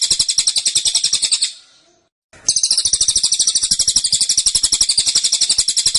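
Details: Caged cililin, 'tembakan' style described as dense and insistent. A quick stream of high, sharp chirps fades out, stays silent for under a second, then returns strongly with the same fast rhythm.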